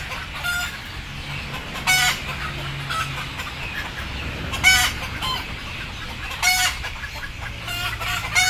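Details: Sleepy, frightened chickens to be put on board produce irregular harsh squawks, about half a dozen across the stretch, with murmuring from the flock and a low droning background.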